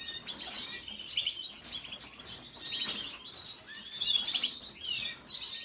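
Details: High chattering song from a red siskin, made of jumbled chirps and rising and falling slurs in uneven bursts, a few brief quiet gaps between phrases.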